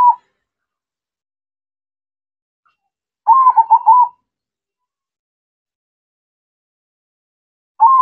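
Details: Perkutut, the local zebra dove, singing: a single loud run of rapid, pulsing trilled coos lasting about a second stands out against silence, with clipped fragments of further phrases at the very start and end.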